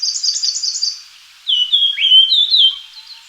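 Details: Japanese grosbeak: a quick, high twittering series first, then a pause and a bright phrase of fluty, slurred whistles that rise and fall, loud and clear against a quiet background.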